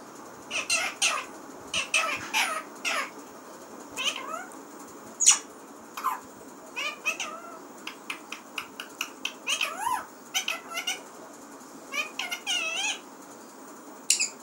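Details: Pet parrot talking indoors: a busy string of short, harmonic, bending squawks and chatter, some notes sliding up and down, coming in bursts with brief pauses over a low room hiss.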